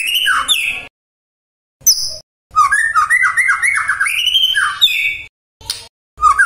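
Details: Loud varied singing from a magpie-robin, intended to provoke any listening magpie-robin into responding: sharp high notes, then a long rolling warble of rising whistles, with pauses and a low hum underneath.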